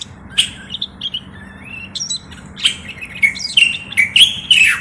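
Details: Moroccan common bulbul singing: a run of clear whistled notes around the mid-high range, some rising and some falling, building to louder warbled phrases that end in a sharp downslurred whistle, over a faint low hum.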